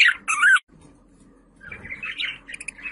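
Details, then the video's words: Budgerigar call used to attract pet budgies: two loud scratchy warbled notes in the first half second, a near-silent pause, then softer rising chirps and twittering. "Muhabbet Kuşu Sesi, kuş sesleri, muhabbet kuşu çağırma sesi!"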